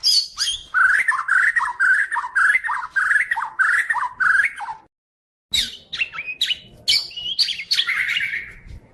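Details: White-rumped shama of the Medan type with rapid rolling warbles and sharp high accents for several seconds, a short silence, then scratchy squeaks and a bright, rising whistled flourish.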